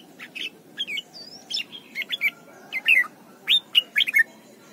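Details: Red-whiskered bulbul song for training young birds: a lively run of varied whistled notes, some upslurred, some wavering and falling, delivered irregularly about one and a half per second, with a faint low background hum.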